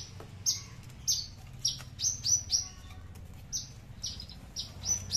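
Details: Horsfield's bushlark of the aliena type from Papua, kept as a tame cage bird, singing its loud song without bass: sharp high downslurred notes at irregular intervals, some doubled, over a low background hum.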